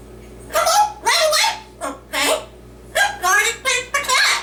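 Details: Male pet yellow-naped amazon parrot indoors performing his usual routine of song and recitation, here giving a run of clipped, speech-like syllables in a high, nasal, harmonic voice, six bursts with short pauses in a quiet room.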